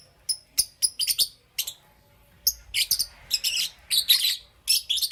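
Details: Lovebirds of Parblue Euwing green opaline and green opaline colouring chirping in the morning: quick clicky high notes at first, then thicker raspy chirp clusters repeated about every half second.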